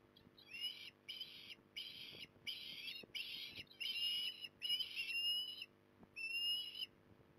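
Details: Osprey at Port Lincoln on 18 December 2020: a steady series of about eight loud, clear whistled calls, each a buzzy note sliding upward. The calls come roughly once a second with short gaps, over a faint low hum and soft background rustling.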